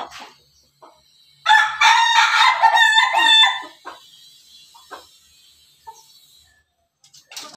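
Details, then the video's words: Pelung rooster giving a loud crow lasting about two seconds, full and harmonic with a wavering middle. Quieter calls and knocks follow, along with a faint high-pitched tone in the background. "ayam pelung berkokok"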